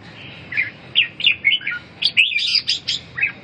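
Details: Red-whiskered bulbul singing: a run of short, loud whistled and warbled phrases, rising and falling notes in quick bursts, about ten notes over a few seconds, with faint low background hum.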